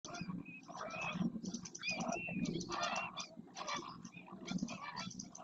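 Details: Several flamingos in the Doñana National Park marsh at El Rocío, Almonte, Huelva, Spain, during a group display dance of neck stretching, head flicking, wing opening and splashing; a dense, overlapping chorus of nasal, goose-like honks and gabbling runs without pause.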